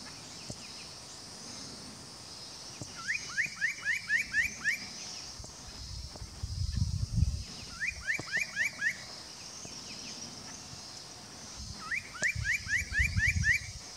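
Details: Spot-breasted parrotbill at Doi Lang, Fang, Thailand, 25 March 2017: three bouts of quick upslurred notes, five to seven per bout, spaced several seconds apart, over constant insect hiss and low rumbling noise.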